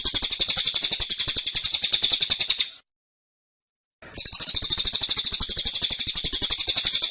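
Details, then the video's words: Two long shrill trills of rapid, closely spaced notes from a cililin in dense, persistent burst song, separated by over a second of silence. "Tembakan Cililin Suara Rapat Dan Ngotot"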